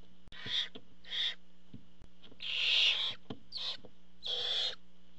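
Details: At a barn owl nest, as the father arrives bringing food, a Barn owl (Tyto alba) gives five harsh, rasping hisses, each under a second, in quick irregular succession, over a steady low electrical hum and faint clicks.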